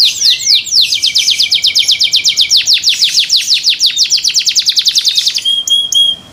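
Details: Canary song of rapid falling whistled notes blurring into a long rhythmic trill that gradually quickens, finishing on a short pure high whistle.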